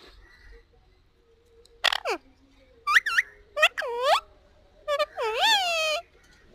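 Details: A pet Alexandrine parakeet gives four loud, harsh, ringing calls, some swooping down and others rising then falling, spread over about four seconds in a quiet room.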